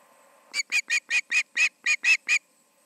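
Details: Osprey calling at the Charlo nest, 7pm on 20 August 2019: a string of nine sharp, high, clipped whistles delivered evenly, about three each second, over faint hum.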